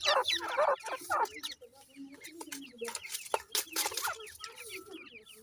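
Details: Pheasant chicks feeding, heard as a busy run of short high peeping chirps that slide downward, coming in quick overlapping bursts, with some clicks and handling noise behind them.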